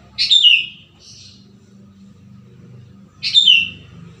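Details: Sooty-headed bulbul song, natural wild sound used to draw in wild bulbuls and get birds singing: two short, rich whistled phrases about three seconds apart, each dropping in pitch at the end, with a steady low rumble between them.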